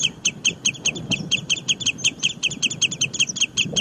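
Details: Bird song: a fast, steady series of high chipping notes repeated about two and a half times per second, each note sharp and bright, with low rumbling background noise.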